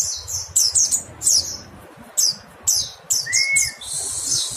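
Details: Mountain white-eye calls: high, thin downslurred chirps in quick clusters separated by short pauses, with one lower, smooth slurred whistle midway and a faint hiss at the end.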